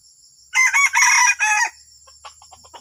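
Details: Junglefowl delivering an odd crow: three loud, rough, broken segments over about a second, then faint scattered ticks. A high continuous insect-like tone runs behind it.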